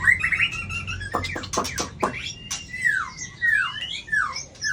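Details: Singing-contest white-rumped shama: a steady wavering whistle, a run of sharp rapid clicks, then a series of clear descending slurred whistles.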